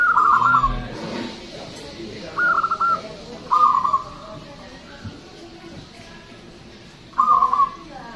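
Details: Indonesian local zebra dove, a loud persistent singer used as a lure: rolling trilled coos, two close together mid-clip and another after a long quiet spell, over faint background noise.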